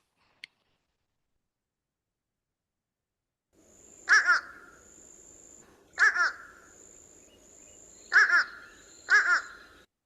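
A fish crow gives four short, nasal, two-part calls like "uh-uh", roughly two seconds apart, over a faint high hiss.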